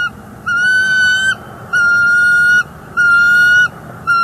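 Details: At a northeast Florida nest in January 2024, a female bald eagle vocalizes her displeasure at an intruder eagle. Long, steady, high piping notes rich in overtones, each nearly a second long, repeat about every 1.2 seconds over a faint low rumble.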